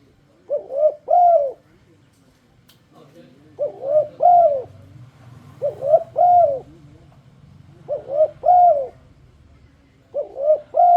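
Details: Luring song of a turtledove to make other turtledoves sing along: steady phrases of two or three arched coos, the last longest, repeated roughly every two seconds above a low hum.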